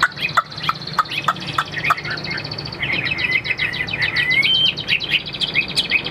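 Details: Chinese hwamei, a caged bird for sale, sings a loud, rich run of rapid whistled notes and chattering trills, with a bright rising slur near the end, over a faint low hum.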